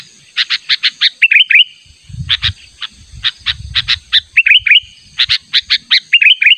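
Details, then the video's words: Lure recording of a sooty-headed bulbul's natural call, used by bird catchers to summon a rival: clusters of crisp, evenly spaced chirps alternating with brief, fluty, wavering phrases, over a faint low background murmur. "Pikat Burung Kutilang Panggilan Ter ampuh suara alami"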